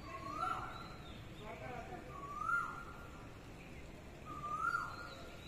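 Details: An Asian koel calls in daytime near a home during Ramadan. It gives three clear, rising whistled notes about two seconds apart over a low rumble with faint voices.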